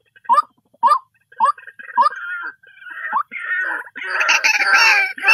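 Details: Repeated short, upward-bending croaks from a white-breasted waterhen give way to sustained, loud, harsh and noisy overlapping calls that fill the second half.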